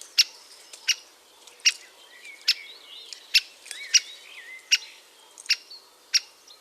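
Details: Great spotted woodpecker at its nest cavity: sharp, loud, clipped 'kik' notes repeated roughly every 0.7 seconds, about nine in six seconds, over soft twittering and warbling of other birds in the background.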